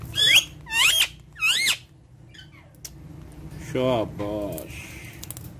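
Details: Talkative pet parrot indoors; three sharp rising-falling whistles, then lower throaty word-like phrases after a short pause.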